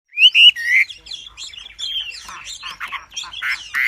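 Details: Wambi in full, lively song: a fast, varied run of sharp high chirps and short whistled notes, loud phrases at the start then a steady busy warble with squeaky accents, no other clear sounds.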